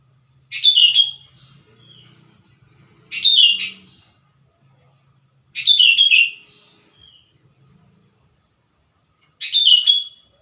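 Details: Sooty-headed bulbul, used to lure wild bulbuls and train birds to sing, giving short bubbly whistled phrases that fall and level off, repeated four times about every two to three seconds, with faint low murmur behind.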